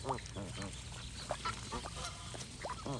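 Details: Geese calling in a noisy flock, with short harmonic honks and nasal cackles overlapping and repeating unevenly, over a constant low hum and hiss.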